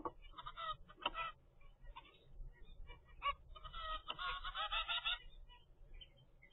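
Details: A 25-day-old zebra finch from a first captive brood calls in scattered nasal notes, then a longer, dense chattering burst, with faint low rumble behind.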